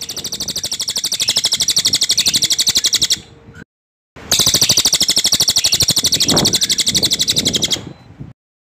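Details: High-pitched rolling trill of a cililin, used to train white-rumped shamas and described as dense, loud and strident. Two long bursts of fast, even pulses are split by a brief gap, with some low background noise.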